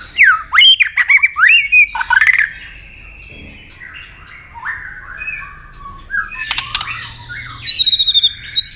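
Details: White-rumped shama fighting song with tail-flick clicks, sung to provoke a rival: loud slurred whistles rising and falling near the start, a quieter warbling middle, sharp clicks around six seconds, then bright high whistles to close.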